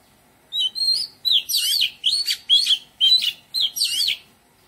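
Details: Oriental magpie-robin singing in a garden, a melodious run of loud whistled phrases, sliding and twisting notes mixed with rapid buzzy flourishes, about eight bursts in quick succession, background otherwise quiet.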